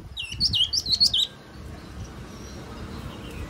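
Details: Yellow-cheeked tit singing a quick run of about six slurred, whistled notes that dip and rise, all packed into the first second and a quarter, followed by quiet background hiss.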